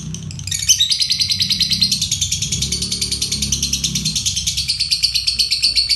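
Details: Ngekek konslet trill from a fighter lovebird, used to stimulate and teach songbirds: after a quiet start, a sustained run of fast, shrill chattering pulses continues unbroken, with soft low music or humming underneath.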